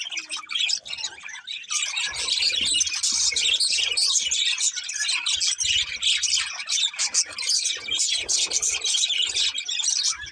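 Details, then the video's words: Budgerigar pair chattering continuously, a thick layer of high squeaky warbles and chirps over faint low knocking sounds. "Cute Budgies Chirping Sounds"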